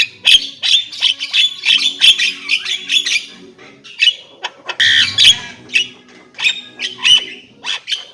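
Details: Javan myna delivering rapid, rasping chatter mixed with sharp squeaks and thin whistled notes in quick uneven bursts, a louder harsh phrase in the middle, with a soft low hum behind.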